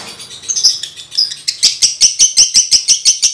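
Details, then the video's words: Home-kept male lovebird in breeding condition, used for tutoring other males: a few soft high squeaks, then a steady run of loud, shrill ticking notes about three a second. "Masteran Lovebird jantan birahi bunyi"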